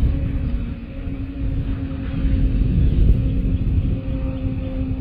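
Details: Heavy low rumble of wind or distant traffic, with a steady faint hum and no animal sounds.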